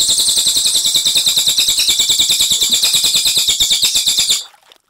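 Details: Clear rolling song of a Cililin: a dense, rapid high trill of even pulses that runs for over four seconds, then cuts off abruptly into silence.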